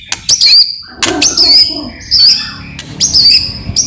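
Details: White-rumped shama lure song meant to draw replies from other shamas: high wavering whistles repeated roughly every second, each preceded by hard clicking notes, with fainter lower notes in between.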